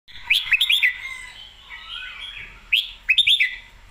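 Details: Red-whiskered bulbul song, praised as weighty in every note: bright warbled phrases of quick rising and falling whistles in two bursts with a pause between, with sharp clicks alongside and faint lower whistles in the background.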